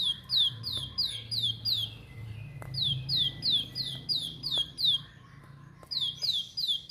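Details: Plain prinia (Prinia inornata), song.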